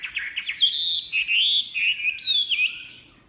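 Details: Chinese hwamei pouring out a loud, rich song: a few short staccato notes lead into long, fluid whistled phrases that sweep up and down almost without pause.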